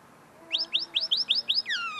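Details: Tame common linnet singing close in front of the recorder, still refining its notes: a quick series of six bright upslurred chirps, evenly spaced, ending in a longer descending whistled note.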